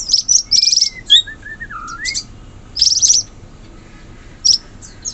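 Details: Forest-dwelling wild sooty-headed bulbul: soft whistled notes slide downward in a short falling phrase, set among sharp high chirps and brief twittering bursts with quiet gaps between.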